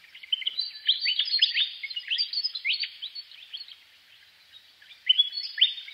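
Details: Willie wagtail calling: quick bursts of bright, high chirps and short falling and rising sweeps. The notes overlap in busy runs, a near-silent gap follows, then a fresh burst of sharp notes near the end.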